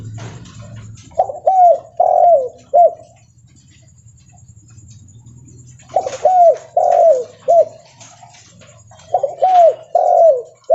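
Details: Spotted dove (derkuku leopard), loud and frequent calling while walking. Three repeated coo phrases, each of four to five mellow, down-slurred notes, separated by pauses of about three seconds, with a low hum beneath.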